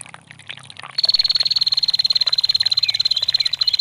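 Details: After a second of trickling water, a female bar-winged prinia breaks into a loud, rapid, high-pitched ticking trill that continues steadily to the end.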